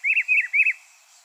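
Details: Rufous-browed peppershrike song: three quick, rich whistled phrases in under a second, each a rising-then-falling two-part slur, followed by silence, with a faint steady high hiss behind.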